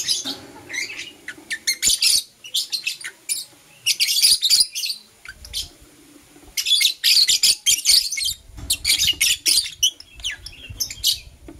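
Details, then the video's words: Dense morning chatter from Blue Opaline and Euwing Opaline lovebirds kissing: continuous runs of shrill, scratchy, high chirps in rapid bursts, broken by brief pauses, with low rustling beneath. "LoveBird Kissing - Lovebird Chirping Sounds"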